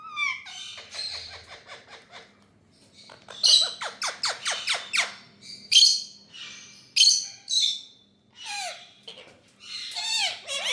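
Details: Rose-ringed parakeet, India, uttering fast trills of clicky notes, then a series of sharp descending chirps about three per second, separated by loud high screeches and a few lower falling squawks.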